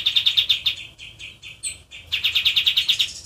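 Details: Caged white-eye in energetic song, a fast, even trill of high piercing notes, briefly slowing in the middle before the rapid chatter resumes.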